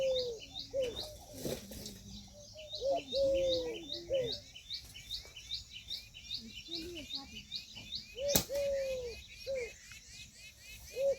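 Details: Indian peafowl hen calling repeatedly: ringing, slightly arched tonal notes, some short and clipped, others held longer, scattered over several seconds, with dense high chirping of small birds and a sharp knock midway.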